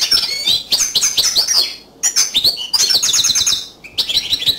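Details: Yellow canary song, third of three birds singing one by one: loud bursts of high chirps, rapid trills and buzzy twitters, broken by short pauses near two and four seconds.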